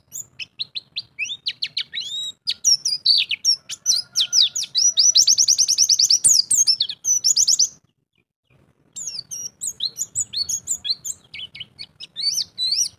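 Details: Champion white-eye kept in captivity, singing ngalas with a string of mimicked phrases: lively high twitter building into a fast dense trill, a clear pause near the eighth second, then more looping whistled chirps.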